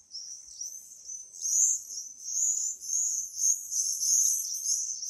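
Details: Group of swifts producing shrill, buzzy, high screams in pulsing waves that grow louder, with a quiet background.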